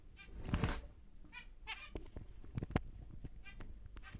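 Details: Caged large male zebra finch, normal grey, utters several separate nasal beeping notes between sharp clicks and taps from the cage.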